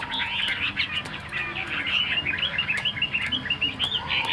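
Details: Caged tame Chinese hwamei sings a dense, slightly muffled chatter of quick warbled whistles, strung together without pause.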